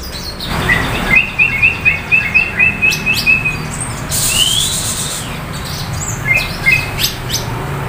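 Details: A female White-rumped Shama in heat (in breeding condition) at a bird kiosk in Condet, East Jakarta, calls with a quick series of short, sharp chirps, a single upslurred note and a few more chirps, over a busy background hum.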